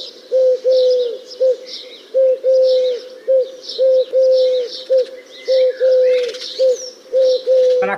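Eurasian collared dove repeating a low, hollow three-note coo with the middle note held longest, about every two seconds. Thin chirps from other small birds sound behind it.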